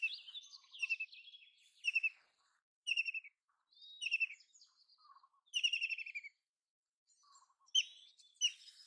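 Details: Broken series of shrill rattling bursts from a White-throated kingfisher, one longer descending trill midway, mixed with scattered chirps and short notes.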